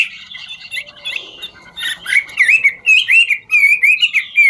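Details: Singing Chinese hwamei dancing, 'ngũ trường' style: soft scratchy warble at first, then loud clear looping whistles in a quick wavering chain, rising and dipping repeatedly.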